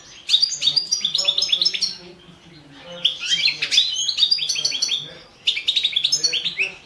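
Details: 2017 competition recording of a Carduelis carduelis balcanica goldfinch: phrases of fast twittering with buzzy trills and bright chirps, divided by brief pauses.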